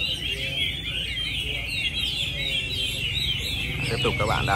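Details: Competition singing by Chinese hwamei at the Mỹ Đình contest, Vietnam, 19 July 2020, with entry 37 the winner. Busy, sliding whistles run on without pause over constant low crowd chatter, and a brief harsher burst comes near the end.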